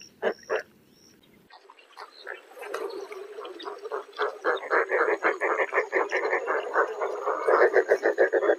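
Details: Roseate spoonbill gives a rapid series of low, hoarse grunting pulses, about three to four per second, starting sparse after a brief pause and growing louder and steadier toward the end.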